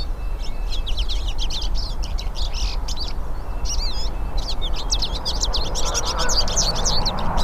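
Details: Hooded siskins, several birds singing in nature, give a continuous high, jumbled twittering of quick chirps and trills throughout, with a soft rushing background noise growing toward the end.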